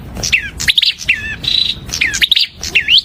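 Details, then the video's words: Prinia song: quick bright chirps mixed with slurred, falling whistled notes and a short steady high tone, delivered in lively bursts with brief pauses. "Kicau Merdu Burung Perenjak"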